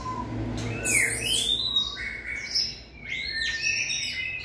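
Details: White-rumped shama training for singing stamina: loud, varied whistled notes with arched and swooping phrases, some rising high, sung in a small room with faint background hum.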